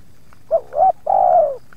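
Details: Single phrase from a spotted dove facing wild doves in a yard: a short coo, a rising wavering coo, then a long, mellow, downward-gliding coo.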